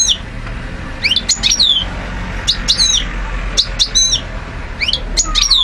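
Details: Short bursts of tinkling, high twitter from a European goldfinch of the parva race, Algiers, 2012, each phrase a quick cluster of sliding chirps separated by brief pauses, over low background rumble.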